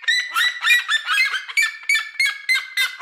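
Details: Two red-legged seriemas duetting from a farmhouse roof in Brazil: fast, overlapping yelps, several per second, harsh and nasal, steady and insistent with no other clear sounds.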